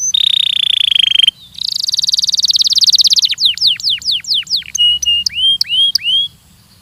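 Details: Training song of a Belgian canary, with a steady buzzy tone, a rapid rattling trill, a set of loud down-slurred whistles, then spaced rising whistled notes.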